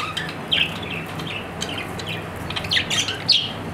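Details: Pet budgerigar chirping in quick bright notes, some sliding up or down in pitch, grouped into a short busy burst toward the end.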